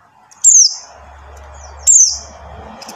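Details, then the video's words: Luring call of a buxtoni white-eye, used to prompt silent white-eyes to sing: two thin, high chirps sliding down into a buzz, set against a steady low hum and hiss. "suara CALL PLECI BUXTONI | untuk pancingan PLECI MACET BUNYI"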